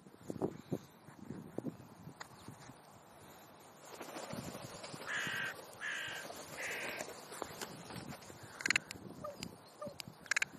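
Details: Crows romping on a sunny park meadow by woodland near the zoo in Leipzig's Rosental, Germany; three short, harsh caws about a second apart, then fainter calls, over a soft background murmur.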